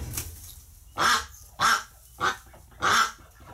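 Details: Ducks upset after a flock member died in the hospital, November 30, 2018: four loud, harsh honking quacks spaced about half a second apart over a quiet background.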